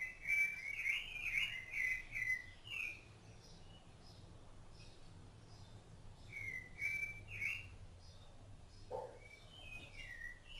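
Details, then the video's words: Rufous-bellied thrush feeding its young, giving bright whistled phrases of quick rising and falling notes, then a quiet stretch and a second burst, with a short knock near the end. "SABIÁ LARANJEIRA CANTO"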